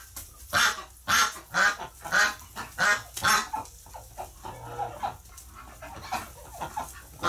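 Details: Ducks freaking out after one of their flock died in hospital, recorded on November 30, 2018: a quick run of loud, harsh, honking quacks for about three seconds, then softer, scattered calls.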